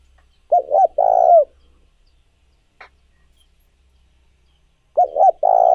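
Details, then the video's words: Spotted dove cooing used to excite doves and train decoy birds: double short coos followed by a long mellow note, repeated after about four seconds, with a single brief click between the phrases. "Tiếng Chim Cu Gáy Mới Nhất, Siêu Kích Bổi"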